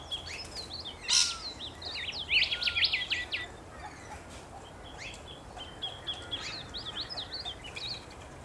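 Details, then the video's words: Australian rainbow lorikeets chatter in a flock: dense bursts of high, scratchy twittering that swell loudly near the start, ease off, then build again into rapid overlapping squeaks. "Rainbow Lorikeets"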